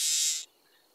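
Seaside Sparrow song: a brief, harsh, blurry buzz lasting under half a second, then silence.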